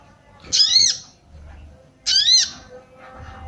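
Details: A female sooty-headed bulbul gives 'cuit cuit' calls to arouse male bulbuls. Two grating, arch-shaped squawks about 1.5 seconds apart, with faint low background noise.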